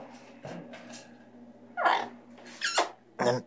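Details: Severe macaw, noted as a strong talker, producing soft scraping notes and then three loud, rough, descending squawks roughly every half to one second, in a quiet room.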